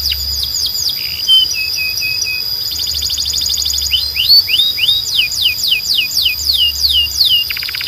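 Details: Varied song of a Belgian canary calling other canaries to sing: a held high tone, falling whistles, low chirps, a rapid trill, then rising and falling slurs ending in a buzzy burst.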